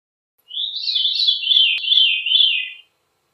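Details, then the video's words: Veery song: one unbroken, rolling phrase of fluty, wavering notes lasting about two seconds. It holds a narrow high band and drifts slightly downward toward the end. No other sounds. "Veery Bird Song, Sound, Call, Chirp, Melody - Zorzalito Rojizo Canto - Catharus Fuscescens"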